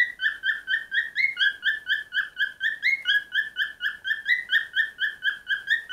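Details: A cockatiel sings a steady chain of short whistled chirps, about two per second, sometimes sliding up in pitch, keeping a pulsing, regular rhythm for the whole stretch.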